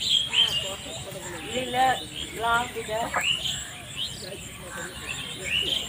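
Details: Domestic geese on a farm in a rice field, giving a few harsh, nasal honks with strong harmonics, spaced roughly half a second apart, while thin high chirps from small birds sound above them.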